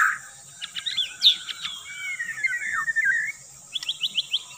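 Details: White-rumped shama song used to lure birds: a burst of sharp notes, then a long, sweet, wavering whistle sliding downward, ending with a few quick repeated high chirps, over steady hiss.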